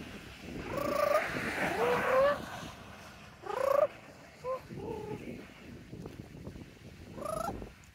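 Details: A pet parrot riding in a bird backpack on a nature walk in Oviedo, Florida, entertains himself with a string of warbling, rising-and-falling trills and laugh-like hoots in short bursts, over steady outdoor rustle and wind.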